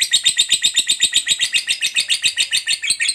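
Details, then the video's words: Long ngekek chatter from a lovebird, the fighter type, used to prompt other lovebirds to chatter: a rapid, evenly spaced series of shrill rasping pulses, steady and loud for about three seconds. "Suara Burung Lovebird DURASI PANJANG, TERBUKTI Paling Cocok Buat Pancingan Labet Agar Cepat Ngekek"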